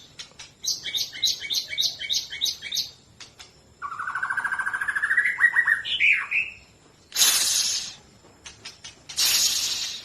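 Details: White-rumped shama of the Medan type singing: a rapid series of sharp, repeated high chirps, then a buzzy rattling trill that climbs into a bright whistled flourish, broken by loud bursts of rustling noise.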